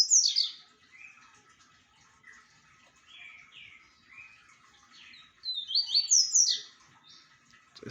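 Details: Song of a double-collared seedeater, a loud opening flurry of high chirps, then softer lower downslurred notes, building again into a dense twittering burst of sharp rapid notes.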